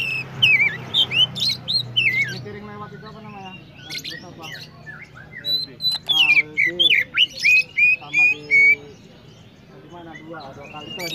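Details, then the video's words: Oriental magpie-robin (kacer) singing at length: varied looping whistles mixed with harsh, buzzy squawks and clipped notes, a dense run of roughly a dozen phrases in the middle, with brief human speech at the start. "chirping sound magpie Robin"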